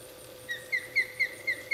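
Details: Osprey calling at the nest at dinner time: a rapid run of short, sharp, high chirps, about four a second. A steady low hum runs underneath.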